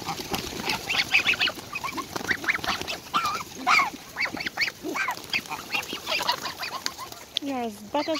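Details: Greedy greylag goslings crowd and peck around a person feeding them beside their parents; a dense chorus of high, reedy peeps and short squeaks runs continuously, ending with a lower nasal call.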